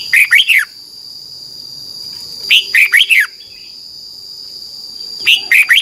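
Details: Red-whiskered bulbul from Thailand singing a training song for young birds: quick bursts of four or five chirpy, down-slurred whistles every two to three seconds, with a continuous high-pitched whine behind.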